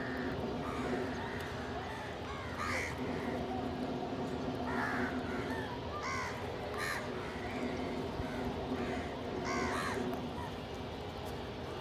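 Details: A flock of crows gathered to feed together, with a pigeon nearby, gives rough, harsh caws in short bursts that come every second or two against a humming, noisy background.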